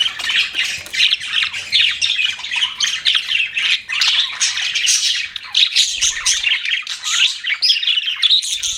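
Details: A steady stream of budgerigar chirping: busy, high warbling chatter and short squawks overlapping without pause, several birds calling together.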